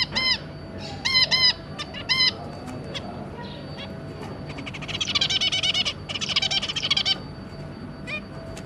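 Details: Zebra finch family, a pair with three juveniles, recorded 2 August 2022: loud nasal stacked beeps in short clusters, then a long run of rapid buzzy chattering notes, with a faint steady hum beneath.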